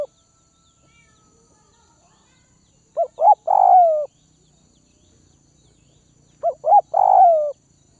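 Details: A Tây Bắc (Northwest) spotted dove, fed by hand for taming, repeats its coo twice about 3.5 seconds apart: two quick rising hoots, then a long throaty note sliding gently downward, with a quiet pause between phrases.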